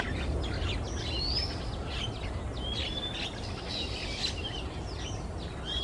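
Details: Afternoon song of a male Oriental magpie-robin in Singapore, hopping perch to perch; a varied string of short whistles, slurs and scratchy notes, some harsher bursts like screeches, over low ambient rumble.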